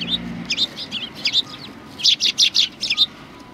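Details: Sparrows flocking to be fed at a Tenmangu shrine on 25 November 2020; bright, high chirps come in short runs, with a denser burst of five or six loud notes near the end.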